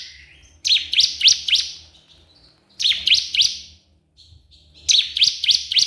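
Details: Bar-winged prinia (ciblek kristal) calling a rival, played to prompt other prinias to sing. Three loud clusters of four high, slurred chips, each with a buzzy overtone, come about two seconds apart.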